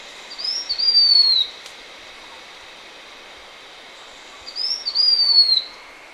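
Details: Blue-winged minla in Vietnamese upland forest above about 900 m, repeating a phrase of thin, high, drawn-out whistled notes that glide downward. The phrase comes twice, about 3.5 seconds apart, with faint steady hiss between.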